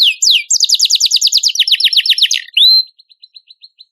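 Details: Canary song used as a training master for competition birds: fast rolling trills of rising, swept notes repeated several times a second, then a bright upslurred whistle and a string of short, soft, evenly spaced chips.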